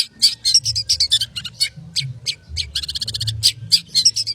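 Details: Long-tailed shrike in lively 'konslet' song: a string of sharp, high, slurred chirps and squeaky notes at irregular spacing, broken midway by a short rapid rattle, then more piercing chirps.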